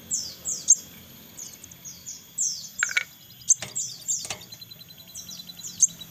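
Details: Crested jay chicks being fed: short, high, downslurred chirps given singly and in small bursts, with a few sharp clicks and knocks between them.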